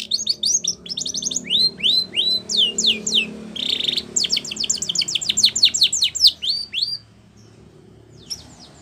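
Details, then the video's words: Training song of a Spanish Timbrado canary: fast series of downward-sweeping notes repeated about three times a second, a brief buzzy roll in the middle, then more sweeping trills before the singing stops near the end; low background hum. "Canary's Most Powerful Song For Training"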